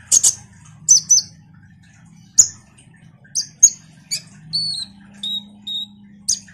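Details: Sparse common iora notes used as a lure for ninja sunbirds. Sharp, high chips come at irregular gaps, then a few drawn-out whistles falling in pitch, over a steady low hum.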